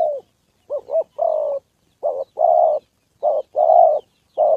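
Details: Spotted dove decoy cooing in a training session: quick doubled short notes followed by broad, steady, longer coos, repeated in phrases about every second, with a clean background.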